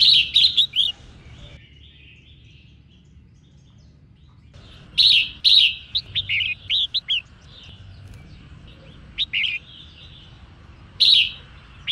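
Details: A female red-whiskered bulbul sings to provoke males, giving several clusters of quick, liquid chirps and warbles, some clusters dense and some sparse, with quiet gaps between them.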